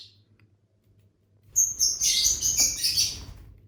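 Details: Indoor pet lovebirds, part of a family of six kept birds, break into dense shrill chirping after a quiet start, high scratchy notes tumbling rapidly for about two seconds over a faint low hum.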